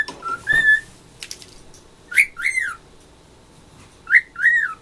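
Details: A male pet cockatiel, imitating noises his owner makes to him, gives clear whistled notes, some rising then falling, in short paired phrases, with kitchen cooking noise in the background.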